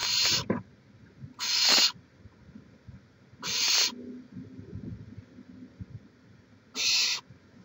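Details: Barn owl at the nest, Chula Vista, California, 18 May 2017, live camera: four harsh rasping hisses at irregular intervals of one to three seconds over a quiet, low rumbling background.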